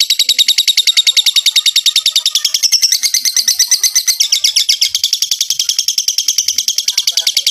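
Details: Extended lovebird ngekek used to spur other lovebirds into singing: a continuous, high, buzzing trill of rapid even pulses, steady for seven and a half seconds.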